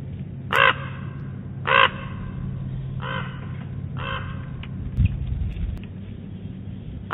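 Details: Common raven at Big Bear Lake, 4 October 2017, giving four harsh, throaty croaks about a second apart, the first two loudest and the later ones softer, over a low steady rumble.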